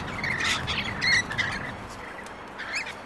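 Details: Rainbow lorikeets from Australia in a territorial ground fight between two pairs; a few sharp, rasping screeches, the loudest near the middle, then quieter scattered squawks.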